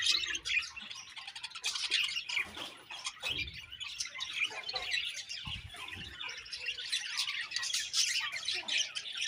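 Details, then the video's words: Many budgerigars chirp in a contented colony, a steady wash of bright twitters and buzzy warbles; a few low soft knocks sound faintly beneath the chatter. "Budgie birds Happy Colony Chirping"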